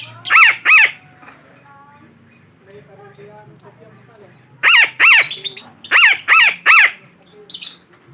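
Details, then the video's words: Harsh, grating parakeet squawks used as a trapping lure, given in pairs and short clusters with quiet gaps between them. "Suara Pemikat Burung Betet yang Sangat Ampuh"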